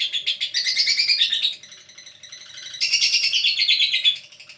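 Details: A lovebird chattering in two bursts of rapid, shrill chirps with a quieter, softer twittering stretch between them.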